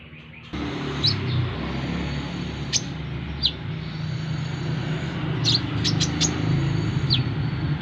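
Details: Brown-throated sunbird, known locally as korlap or kolibri kelapa, kept for training to get used to busy roadside crowds with many passers-by; scattered sharp, high, thin chips against a steady low rumble of traffic.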